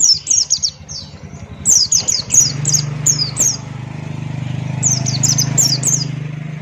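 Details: Buxton's white-eye singing in lively ngalas style with open beak: quick series of high, sharply downslurred chirps in fast bursts, with a steady low hum underneath.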